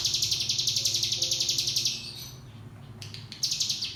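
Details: A cigun (Javan white-eye) singing a shrill, buzzing trill of quick even pulses for two seconds, a pause with faint chirps, then the trill restarting; meant to train young birds in 'ngebrem' song.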